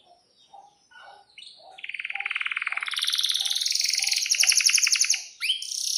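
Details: Canary delivering a long rolling song: soft low notes at first, then a buzzy trill that rises and swells into a loud, fast pulsed roll for about three seconds, closing with an upward sweep.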